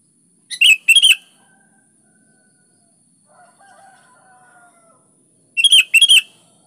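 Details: Sooty-headed bulbul singing vigorously: two bubbly three-to-four-note phrases roughly five seconds apart, with a faint, low, drawn-out sound between them.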